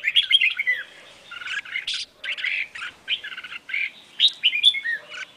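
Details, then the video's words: Red-whiskered bulbul female calling to stimulate males: a continuous, lively run of varied chattering and slurred whistles, with rich, rising and falling notes in quick succession and little background noise. "Chào Mào Mái Kích Trống"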